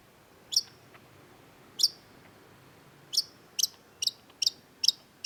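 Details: Long-tailed shrike (cendet) with sparse, very high sharp ticks, first widely spaced, then a steady series roughly every half second.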